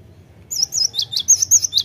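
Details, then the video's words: A cinereous tit in full song sings a quick run of about eight high, thin, sharp notes in under two seconds, over a faint low hum. "Gelatik Batu Gacor"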